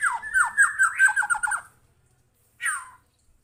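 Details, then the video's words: White-rumped shama answering a lure recording with a rapid string of sharp rising whistled notes for about a second and a half, then a pause and one short harsh descending note. "Kicauannya gak ada remnya !!! Tonton sampai akhir video Murai Batu Gacor ini"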